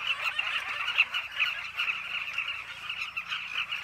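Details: Carmine bee-eaters at a cliff colony, a lively, crowded chatter of short, burry calls from many birds, a few clearer notes popping out near the start.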